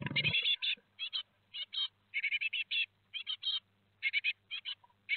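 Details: Four Great tit chicks fledging at Théding, France, on 17 July 2020, calling with steady runs of harsh chirps in short groups, after a brief low knock, over faint hum.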